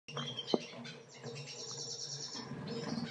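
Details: Yellow-rumped Siskin (Carduelis uropygialis) singing a rapid, high, twittering series of thin, buzzy notes run closely together, with a sharp click near the start and low background noise.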